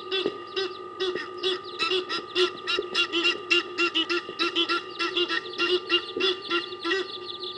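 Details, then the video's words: Egyptian geese fighting to retain territory at Kwa Maritane; a continuous run of rasping, nasal honks repeated quickly and unevenly, loud throughout, over a faint constant hum. "Egyptian Geese in dominance battle at Kwa Maritane."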